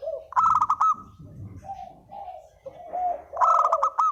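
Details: Spotted dove sounding a lure call: a loud stuttered coo burst, a few lower coos with soft rustling, then another loud rapid burst at the end.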